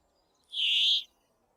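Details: A brambling in Japan gives one drawn-out, nasal, wheezy call lasting about half a second, harsh and buzzy in tone, against a quiet background.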